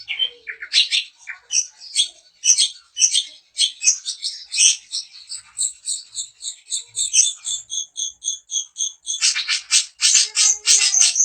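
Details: Long-tailed shrike of the daput variety singing to provoke other shrikes: evenly spaced sharp chirps and squeaky notes repeated in a quick series, ending in loud harsh rasping bursts.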